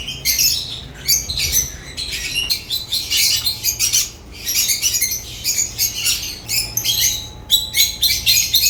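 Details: Chattering African lovebirds give rapid, shrill, overlapping chirps and squeaks in quick bursts, with short pauses between clusters and a low steady hum in the background.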